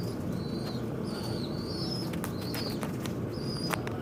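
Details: Noisy birds fighting at a window give short, high, slightly falling whistled chirps, about four in four seconds. Sharp taps sound between them over a constant low background hum.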